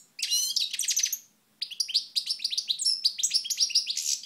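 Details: Sunlit European goldfinch at Moknine in 2012 pours out a dense, rapid warble of ringing buzzy notes and twinkling trills, briefly pausing before resuming even more continuously.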